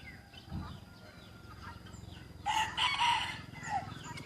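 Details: Young white rooster from a village, recorded 1 June 2020, breaks into a loud, hoarse crow lasting over a second after quieter rustling and a faint distant crow, with steady low background noise.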